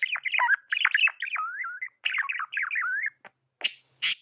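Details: Pet budgie in a continuous chattering warble of tumbling, rapidly rising and falling chirps, closing with a few sharp clicks and one squawky note.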